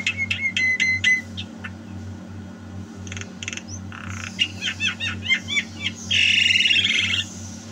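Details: Javan myna singing, recorded at home in 2022: sharp repeated clicks and chirps, a run of quick rising notes, then a harsh rasping burst, over a steady low hum.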